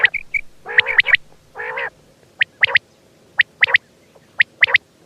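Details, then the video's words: Quail giving two harsh, nasal, buzzy notes, then a series of crisp triple-pip phrases spaced about a second apart, with short soft whistles at the start. "Batair ki awaz quail Sound"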